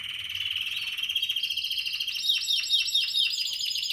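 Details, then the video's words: Spanish Timbrado canary (2017) holds a buzzing level trill that climbs to a higher roll, then breaks into regular downward-swept notes about twice a second. "Timbrado español original 2017"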